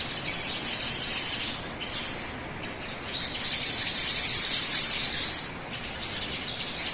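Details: Sogon bird song used as a lure to prompt other birds to sing: thin, very high, rapid twittering phrases with a short pause near two seconds, then a long dense trilling run.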